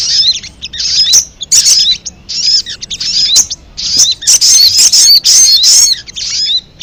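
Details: Ruby-cheeked sunbird nestlings being hand-reared give loud, high, squeaky chittering in irregular bursts of a second or less, with quick up-and-down notes and short silent gaps between bursts.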